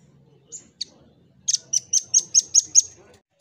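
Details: Red-billed rambatan, or velvet-fronted nuthatch, singing actively: two isolated high chips, then a quick trill of seven sharp, ringing notes at an even pace, over a low background hum.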